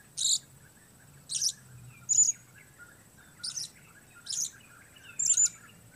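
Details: Six piercing high chirps from a blue-crowned hanging parrot calling alone, roughly one each second, each brief and shrill, with a soft low hum behind.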